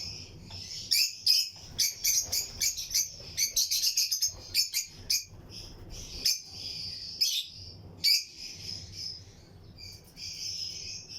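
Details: Lutino lovebirds chirping in a breeding colony cage among other aviary birds. Shrill, piercing chirps arrive in quick irregular bursts, several per second, with brief pauses between clusters and a soft hum underneath.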